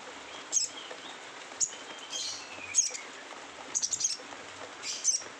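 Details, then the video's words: Sogon in rough twittering "ngeriwik kasar" style: very high, thin chirps and short twitter bursts spaced about a second apart, some in quick clusters, over faint background hiss. "sogon ngeriwik kasar"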